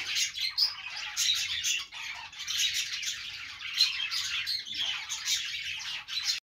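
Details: Singing budgies on a perch deliver a bubbling chatter of high squeaks, rasps and short chirps, with a couple of brief lulls between bursts.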